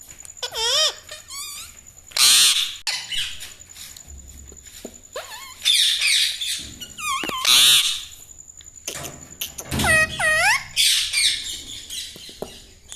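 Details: Parrot kept as a pet says mummy, papa, mithu; bouts of raspy squawks mix with curling, mimicked word-like notes over thirteen seconds, with a constant high electronic tone running underneath.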